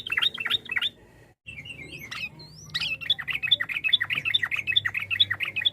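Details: Sooty-headed bulbul singing a varied ropel-style song meant to provoke rivals into answering. Fast runs of sharp chattering notes repeat a little over twice a second. A brief pause and a few upslurred whistles come before the next run. A low hum sits underneath.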